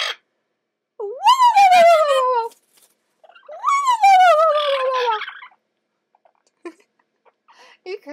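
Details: Seymour, a talkative, playful red-lored amazon parrot, gives two loud, harsh squawks, each rising sharply then sliding down, about two seconds apart, with soft clicks and murmurs after, amid owner's chatter.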